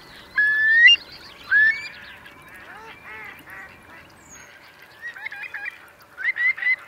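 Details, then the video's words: Eurasian curlews at a high-tide refuge in Marquenterre's wet meadows, Bay of Somme, France, October 2021; two clear rising whistles open, then a jumble of softer flock calls and a final burst of quick notes. "Courlis cendré / Numenius arquata / Eurasian Curlew"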